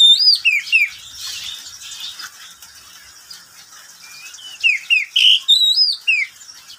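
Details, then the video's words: Pet oriental magpie-robin kept in a cage, singing at midday: sweet whistled slurs and quick chirps at the start, a quieter gap with faint rustling, then a fresh run of bright rising and falling notes. "Suara burung Kacer di siang hari"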